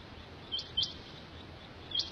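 A quail gives three short, high chirped notes, two close together and one after a pause, over a steady background hiss.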